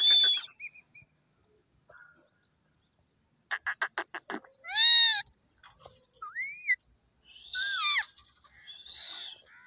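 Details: Parrot giving a varied run of sounds: short high squeaks, a burst of rapid clicking notes, a loud harsh squawk with stacked harmonics, then two rising-and-falling whistles and raspy screeches, with quiet gaps between.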